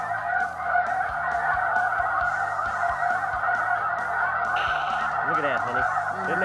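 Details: A huge flock of snow geese, audible from a couple of miles away, circling over a decoy spread during a hunt, fills the air with a steady wall of overlapping, nasal, high-pitched honks; a man's voice speaks briefly underneath.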